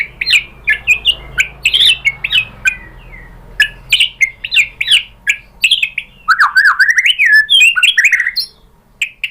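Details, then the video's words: White-rumped shama provoking song meant to make birds reply and show their material: repeated sharp whistled chirps in loose groups, building into a busier run of warbling, rising notes. "biar NYAUT dan GACOR MURAI BATU cocok pakai PANCINGAN ini di jamin juga BONGKAR MATERI ¦ SHAMA BIRD"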